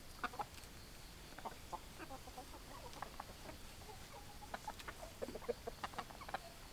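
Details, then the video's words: Several chickens give soft, low clucks at irregular intervals, sometimes in quick little runs of two or three notes. A faint, steady background hiss sits underneath. "Chicken Sounds Noises Hens Clucking Roosters Crowing"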